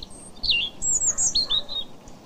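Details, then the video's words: European robin song in a British garden, heard in most months of the year: a rapid run of thin, high warbled phrases, some falling, some trilling, with short pauses between them. "you can hear the robin's song in most months of the year"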